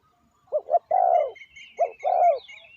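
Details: Decoy spotted dove calling to wild doves: one full phrase of two short notes and a long falling coo, then the start of another, with high chirping of other birds behind.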